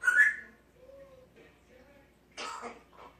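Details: Six-year-old female Congo African grey parrot kept as a pet indoors, known to sneeze, cough, burp and talk; a loud rising whistle opens, followed by soft low murmurs and a burst of harsh, noisy chatter near the end.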